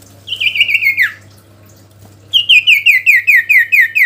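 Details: Sooty-headed bulbul singing to call a rival: a sharp descending whistled run of quick notes, a pause, then a rapid series of bright, slurred notes repeated about twice a second, over a steady low hum.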